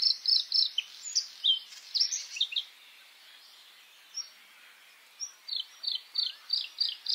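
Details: White-spotted bluethroat singing in May: varied scratchy, twittering phrases, then a gap and a series of repeated sharp descending notes, roughly three per second, over a steady background hiss.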